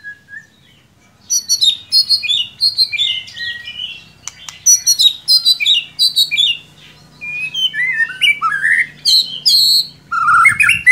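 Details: A lure recording of white-rumped shama meant to spur a reluctant bird into full song: a rich, nearly continuous stream of varied whistles, slurred notes and crisp chips in quick phrases, loud and clear over a quiet background.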